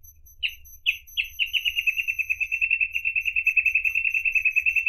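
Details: Reed parrotbill, an endangered bird. A few separate, emphatic chip notes quicken into a long, steady, rapid trill that keeps going for over three seconds. A faint continuous high tone sits in the background.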